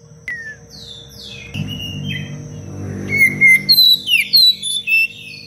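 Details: Oriental magpie-robin singing a tight, sharp 'cengkok rapat pedas' song meant for training other songbirds: scattered high whistles, a stretch of rough noise, then a run of bright, clear whistled notes in quick succession, with a low hum throughout.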